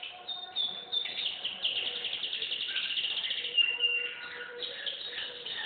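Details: Canary singing a long, dense run of rapid rolling trills and buzzy warbles, steady and unbroken, with sustained high tones held between tours.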